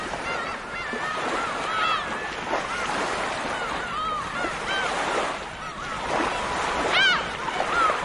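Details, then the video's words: Many gulls call over one another in a busy chorus of short, nasal mewing and yelping notes, some rising and some falling, against steady surf. "Tiếng kêu của con Hải âu"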